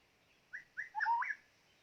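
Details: A short phrase from a white-rumped shama used as a trapping decoy: two brief whistled notes followed by a smooth, rising and falling fluty whistle.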